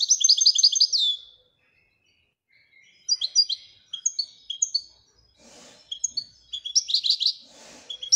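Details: Moroccan European goldfinch singing in the Widania song style: a rapid, high twittering trill, a pause, then bright chirps and tinkling notes broken by two short rustling clicks, ending in another fast trill.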